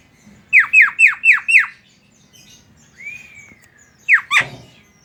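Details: Javan myna song meant to provoke other mynas to sing: five quick descending squawky notes in a row, a long smooth whistle arching down, then two more harsh notes.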